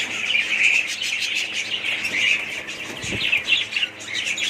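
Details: A colony of budgies twitters and warbles nonstop, many high chirps overlapping, with a soft thump near the middle.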